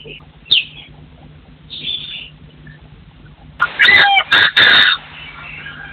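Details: Partridge calls: faint high chirps at first, then a sudden series of loud, coarse, scratchy crowing bursts in quick succession near the end, over a constant low hum.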